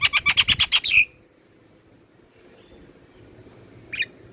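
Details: Black-winged myna singing to stimulate caged birds: a rapid burst of about ten loud harsh chattering notes within one second, then near silence broken by one short squawk.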